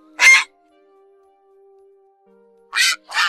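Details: Grey heron flock-gathering call, August 2024, used as a night lure for trapping: harsh, raspy croaks, one short burst, a pause of over two seconds, then two quick calls close together, with a faint low hum.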